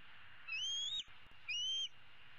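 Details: Female bald eagle eaglet from 2016, roosting in a tree on 15 April 2016, calling for food: two long, high, thin whistled squeals, each lasting about half a second, separated by a brief pause.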